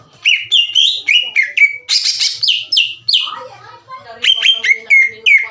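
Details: Energetic song of a green leafbird meant to stir rival birds' emotions so they sing: rapid whistled notes, short buzzy harsh bursts, and falling slurred phrases in quick sequence.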